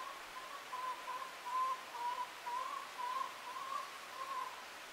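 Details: A flock of wild turkeys passing through a property gives short, soft, whistled notes at a steady mid pitch, about two a second, over a constant low hiss. The flock is upsetting the resident chickens, turkeys and dogs.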